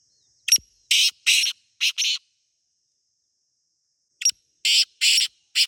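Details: Black francolin (Teetar) in its natural habitat in Pakistan, calling twice: each phrase opens with a sharp click and runs into four harsh, buzzy grating notes, with silence of nearly two seconds between.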